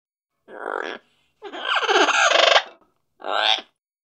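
A macaw gives three rough, throaty bursts: a short croak, a longer gurgling squawk lasting over a second, then another short croak, with quiet between.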